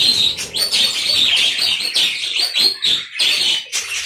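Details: Colony of aviary budgerigars chattering loudly, a dense run of high warbled and whistled notes from many birds with short breaks.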